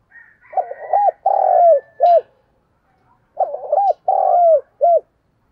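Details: Decoy spotted dove cooing to bring wild doves close: two deep phrases about three seconds apart, each with stuttered notes, a drawn-out descending coo and a short end note; a faint higher whistle precedes the first.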